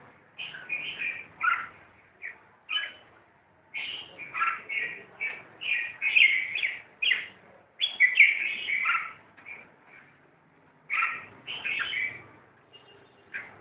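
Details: Fighting red-whiskered bulbuls keep up rapid chirping and scolding, short scratchy notes in quick runs with a few breaks, loudest around six to nine seconds, the calls overlapping at times.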